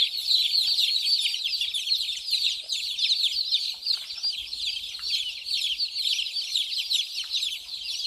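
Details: Small white chicks running and drinking water: a crowded flock of shrill, rapid peeping notes, each a brief falling chirp, packed into an unbroken high chorus with occasional soft knocks.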